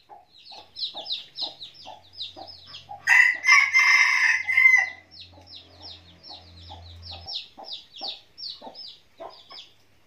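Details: Red junglefowl decoy cock crowing to lure wild roosters: one harsh, clipped crow of almost two seconds, surrounded by steady quick chirping notes and a low hum.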